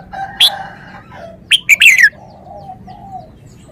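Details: Red-whiskered bulbul giving a brief song phrase: a sharp high note, then a fast cluster of warbled, descending notes, followed by softer low murmurs and background hum.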